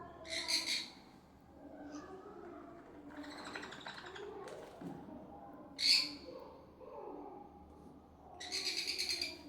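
A young sun conure gives harsh, raspy begging bursts while being hand-fed, with a person talking.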